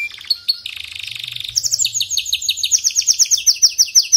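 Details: Canary singing, offered to a weak-singing canary: a quick buzzy rattle, then a long series of sharp, rapid chirps repeated several times a second.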